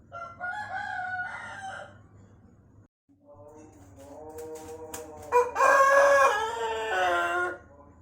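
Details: Pelung chicken crowing, a breed whose crow becomes longer and more tuneful with age and features cengkok twists; a shorter wavering crow, a brief pause, then a rising, building crow that peaks loudly and is held for several seconds.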